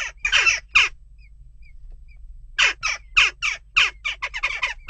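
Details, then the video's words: Jackdaws restless at a nest box, western jackdaw giving a burst of harsh calls, a pause with soft chirps, then a rapid irregular string of raspy 'kya' notes speeding up at the end. "Onrust blijft door--kauwen"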